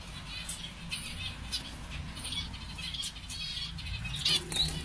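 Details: Mutation-colour zebra finches give short, nasal, buzzy notes and clicks in quick, irregular bursts, with a few brief higher chirps, over a low steady hum and some fluttering.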